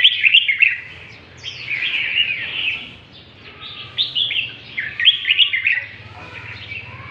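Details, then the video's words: {'__e': 'Northern Vietnamese red-whiskered bulbul delivering lân tê style song: rapid, rich warbling runs of rising and falling whistles, loudest at the start and again near the end, over a soft low background hum.'} "Chào mào Bắc lân tê, giọng siêu chất"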